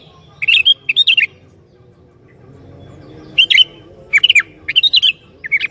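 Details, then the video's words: Sooty-headed bulbul in full song, goading other bulbuls. Two quick bubbly phrases open, then a pause of about two seconds, then a rapid run of four chirpy, liquid notes. "Burung Kutilang Gacor Ini Sangat JAGO Mancing Kutilang LAIN"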